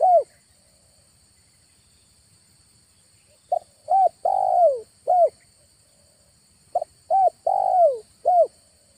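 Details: Decoy spotted dove calling in an August evening to lure wild doves: cooing phrases of quick clipped notes and a long descending croon, repeated about every three seconds with quiet gaps between.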